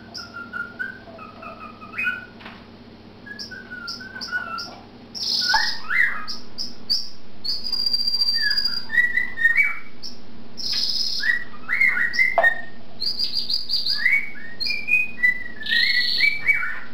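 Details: A pet male cockatiel whistles varied, sliding melodies, warming up with embellished wolf whistles, duetting with a male canary whose bright trills and chirps mix in as they listen and react to each other.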